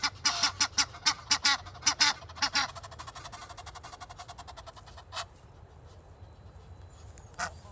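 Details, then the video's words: In Kensington Gardens, London, on a rainy day, two walking Egyptian geese and two in a tree give about a dozen loud, harsh, nasal honks in quick succession, then a fainter rapid rattling series and scattered calls. "Two Egyptian geese walk and make loud noises, while two in the tree join in, filling the air."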